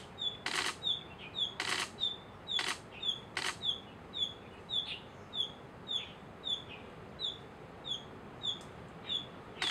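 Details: Narcissus flycatcher giving a steady string of short, high, slurred chirps at regular intervals, roughly one each half second, with a few loud broadband clicks or knocks breaking in.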